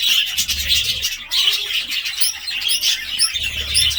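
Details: Budgerigar chatter with many overlapping high, squeaky chirps and rapid warbled notes, unbroken through the whole stretch. Short clicky upward squeaks stand out near the end, and a soft low hum comes and goes.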